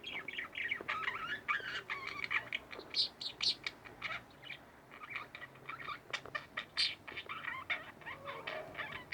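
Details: Two pet budgerigars chirping and chattering indoors: a continuous stream of short, scratchy, warbling notes with quick rising and falling twitters, occasional sharper high chips, and small clicks.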